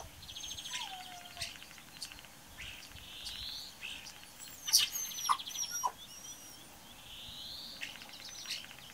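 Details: Common starling at Braziūkai, Kaunas district, Lithuania, on an April morning (8 April 2018) delivering a jumbled song of fast rattling trills, a falling whistle, loud clicks and squeaks, and long buzzy notes.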